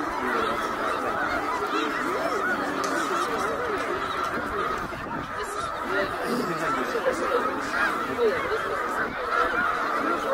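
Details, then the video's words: Migrating snow geese massed at Middle Creek in Pennsylvania during the 2023 northward migration: a thick, rapid chatter of honks, some louder calls rising above the constant flock din. "Eighty thousand Snow Geese Migration in Middle Creek 2023 / Snow Geese Bird Tornado"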